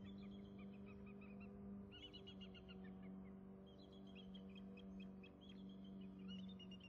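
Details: At a nest with eggs, one bald eagle settles back in as both mates call to each other. Rapid, high, piping chitters come in repeated strings, quite faint, over constant low humming noise.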